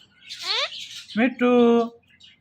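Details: The talking Indian ringneck gives a descending harmonic sweep, then a short rising note and a sustained flat, buzzy, voice-like syllable.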